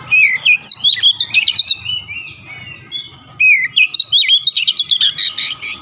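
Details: Kacer (Oriental magpie-robin) singing nonstop in gacor ngotot style, bongkar isian: dense bursts of swooping whistles and fast chipping notes, with one brief pause midway and low rumbling underneath.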